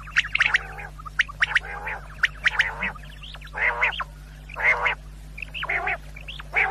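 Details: Quail call meant for hunters at night: crisp ticking notes alternate with harsh, nasal, harmonic bursts repeated roughly every second, plus a few upslurred squeaks.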